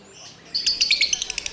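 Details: Lovebird chirping, a quick series of high, sharp notes starting after a brief quiet moment, speeding up and becoming shorter toward the end.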